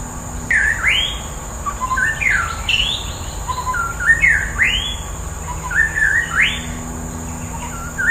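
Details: White-rumped shama in the wild delivering varied whistled phrases, each ending in a bright rising sweep, separated by short pauses, against a constant thin high hiss and low hum.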